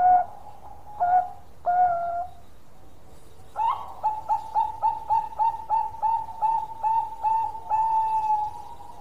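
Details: Long-singing zebra dove, perkutut Bangkok, opening with three separate drawn-out coos, then after a pause a run of about a dozen quick, evenly spaced coo notes ending in a sustained tone.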